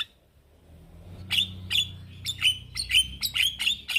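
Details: Male Javan myna calling to young companion mynas: after a quiet start, a run of harsh, scratchy, chattering notes repeated about every third of a second, rising in loudness, with a faint low hum underneath.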